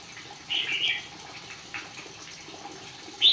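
A Red-whiskered Bulbul gives a bright, warbled half-second phrase, then a single short note and the start of another phrase, over a steady hiss.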